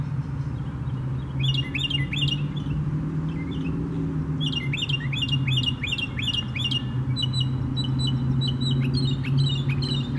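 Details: Northern mockingbird singing in Tattnall Square Park on May 11, 2015: bright, chattery phrases, each repeated several times before switching to a new one, over a steady low traffic rumble.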